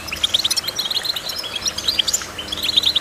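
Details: Goldfinch song: a rapid, dense stream of high, tinkling chirps and short twittered notes, delivered in quick bursts with hardly a pause, possibly several birds overlapping.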